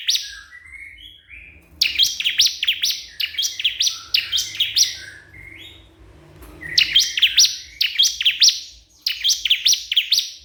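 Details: Crystal prinia calling a rival: bursts of high, sharp chirps and buzzy downslurred notes in quick rattling phrases, with a short pause near the middle before the calling resumes, and a faint low hum underneath.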